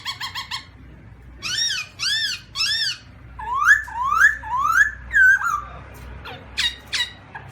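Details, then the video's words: Black-throated laughingthrush (Garrulax chinensis) with a fast harmonic stutter, arched buzzy notes, then a run of rising slurred whistles and sharp high squeaks. "Birds Black-throated laughingthrush (Garrulax chinensis): Funny Sounds And Funny Dances"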